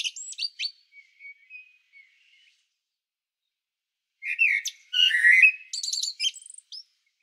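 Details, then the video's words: Common blackbird at Sljeme above Zagreb, Croatia: scattered high chirps and a soft whistle, then after a silence a loud warbled phrase with bursts of shrill, chattering twitters; Panasonic Lumix DC-TZ90 camera. "Blackbird Song"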